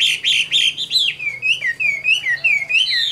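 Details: Older wild-caught Chinese hwamei with a good voice sings a loud, fast run of rich whistles, first short rising-and-falling notes, then longer down-slurred phrases, over a faint low hum.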